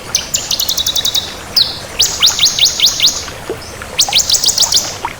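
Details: Crystal ciblek, a bar-winged prinia, singing energetically. Quick high ticking notes lead into a rising sweep and then a run of rapid downslurred whistles, and the pattern repeats.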